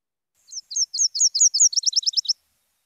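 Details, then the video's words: Nashville Warbler, arriving in the Seattle area in April and May, sings its two-part song: about five high slurred 'cheaper' phrases, then a quicker, lower run of rapid trilled notes, all under two seconds. "let's listen to the song of the nashville warbler"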